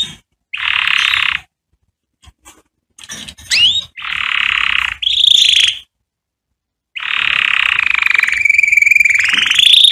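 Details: Canary song used to tutor young chicks: dense buzzy blocks of sound alternating with brief silences, a few quick rising whistles, then a long sustained rolling trill that wavers and climbs at the end.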